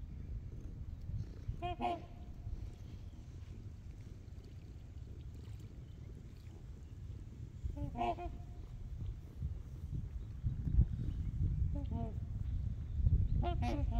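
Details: Trumpeter swans with geese on Horseshoe Lake, heard from the beach; short nasal honking bursts recur every few seconds, some in quick doubled notes, over low rumbling wind and water noise.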